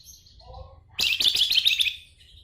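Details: Javan tesia (flamboyan) after soft quiet notes bursts into a loud, fast, chattering high warble lasting about a second, then fades to a thin trailing note.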